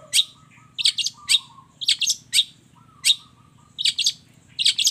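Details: Long-tailed shrike delivering a varied mimicry song: crisp high double and triple chips in clusters, separated by short level low whistles held under a second each.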